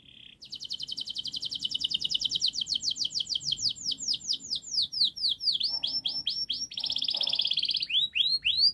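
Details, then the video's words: Singing canary with a long, dense, fast song meant to teach young canaries to sing quickly: a steady rapid trill of repeated high notes changing into swooping whistled phrases, with faint low background noise. "Kenari Gacor Panjang Speed Rapat Untuk Pancingan kenari Paud Agar Cepat Gacor"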